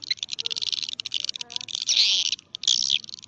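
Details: A swiftlet lure sound for swiftlet houses gives a fast, crowded twittering of high clicks and chirps, swelling into loud buzzy bursts near the middle and end.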